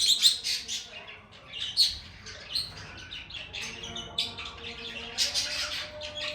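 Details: Lovebird singing with high, squeaky chirps and twitters in loose groups, shrill notes scattered among softer chatter and a faint steady tone underneath.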